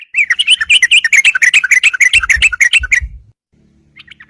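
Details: Yellow-vented bulbul in full, lively voice, challenging rivals to fight, used as a lure for trapping; a rapid run of bright chirpy notes, about three per second, for three seconds, then a pause and faint notes resuming.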